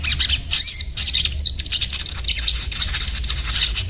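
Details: Quick, scratchy high-pitched chatter from a little spiderhunter (sogon), with tight clusters of thin squeaks repeated rapidly through the short stretch, over low background rumble.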